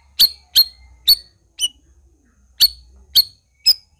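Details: Black-crested bulbul giving loud, sharp chip notes, three in quick succession, a softer one, a pause, then three more, each note bright and high.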